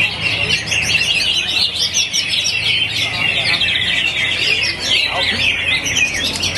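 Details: Greater green leafbird in the hyper, fast 'ngentrok' song style shaped for competition: a rapid, unbroken stream of high chirps, trills and whistled notes, with other birds and faint voices around.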